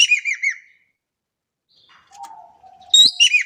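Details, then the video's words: Energetic calling of a Javan kingfisher in Indonesia: a harsh series of hooked notes fading out, a soft steady low whistle from another bird, then a fresh loud burst. "EKEK KELING GACOR DAHSYAT"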